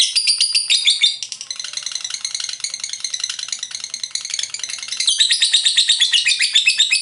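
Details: Lovebird chattering in ngekek style: continuous shrill twittering that dips softer in the middle, then swells louder again, never pausing.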